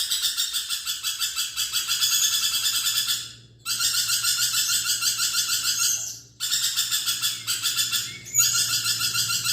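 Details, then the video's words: Lorikeet chattering in long harsh, buzzy, pulsing screech phrases of several seconds, separated by brief silent gaps. "BURUNG NURI PERKICI GACOR"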